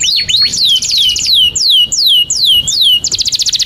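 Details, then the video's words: Singing canary, long song meant to teach young canaries: repeated loud descending whistled sweeps, about three per second, ending in a quick dry high trill. "SUARA 19a Kenari GACOR PANJANG INI Cocok untuk Masteran KENARI PAUD dan Kenari Macet"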